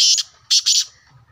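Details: Black francolin giving a short harsh call: three grating, buzzy bursts in quick succession, the first longest, then a brief pause and two clipped notes close together, with faint low murmuring in the background.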